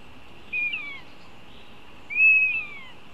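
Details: Northern goshawk while its young are being fed: two high, thin squealing calls about a second and a half apart, the second longer and steadier, over a faint steady hiss.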